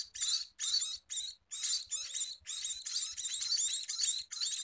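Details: Scaly-breasted munia calling to be fed, a run of high, scratchy squeals that run almost together near the end, about two or three bursts a second, over faint low tapping.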